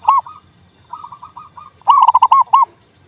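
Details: Zebra dove, a local male, sung to encourage a silent bird: an opening coo, soft trailing notes, then a loud rolling run of six coos, over a steady thin electrical tone.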